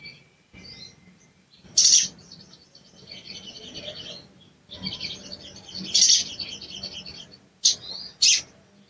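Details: Sooty-headed bulbul cuit cuit calls used to provoke a reluctant bird into singing: long stretches of soft, high twittering broken by a few loud, sharp chips, two close together near the end.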